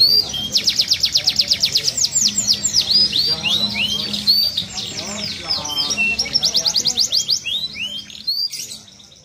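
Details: Green canary in full song: long bursts of fast, buzzy trilled notes alternating with sweeping whistled phrases, nonstop for several seconds before fading, with a low hum behind.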